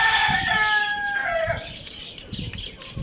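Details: Loud crowing from a Lohmann Brown rooster at a bird market: a strained, harmonic cock-a-doodle-doo lasting about one and a half seconds and ending in a falling note, followed by background clucking and chatter.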